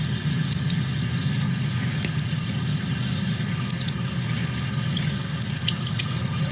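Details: Fledgling Northern cardinals leaving the nest, 13 August 2020, live stream: isolated sharp high chips, singly and in pairs, then a quicker cluster near the end, over a low hum.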